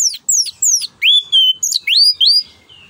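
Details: Continuous, vigorous ngeplong nembak song of an orange-headed thrush, used to lure and tutor other birds: high piercing downslurs followed by a run of rising and falling slurred whistles, each note separate and loud.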